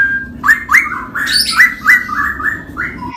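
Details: Rolling ropel song of the cucak rowo (straw-headed bulbul) next to a samyong: quick series of rich warbled whistles, each note swinging up and down, over steady low background hum.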